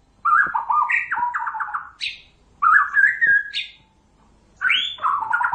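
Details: White-rumped shama singing energetically as a lure for other shamas to respond: three separate bursts of mellow fluted whistles, each ending in or containing a sharp high upslur, with short pauses between.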